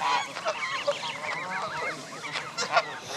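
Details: Brief burst from a gathering of Canada goose families and goslings at Jess Ranch Lakes Park in May 2014: wavering, harmonic honks blending together, with a few sharper notes near the end.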